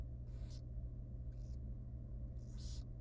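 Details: Wild barn owl baby, very small and young, begging at feeding time inside a nest box: three short, noisy hisses, the last the strongest, over a low droning hum.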